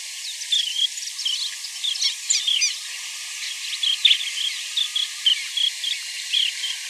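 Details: Baird's sandpipers in La Rioja, Argentina give short, high, rolling chirps in quick irregular bursts, several birds overlapping, over a steady low hum.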